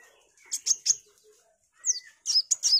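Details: Sunbird, kolibri wulung, singing energetically as tutor material for white-rumped shamas: a few sharp high chips, a pause, then a thin rising sweep and quick twittering high notes.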